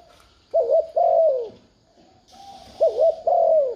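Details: Spotted dove cooing, used to stir a decoy bird into calling: two low phrases, each a quick wavering double note then a longer falling coo, separated by a pause, with faint steady high hiss behind.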